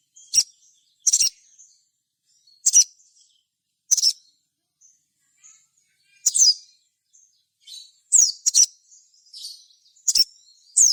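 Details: Sogon bird calling in gacor style, used as a lure: sharp, very high single and paired chips spaced irregularly over eleven seconds, with short rushed slurs near the end in a quiet setting.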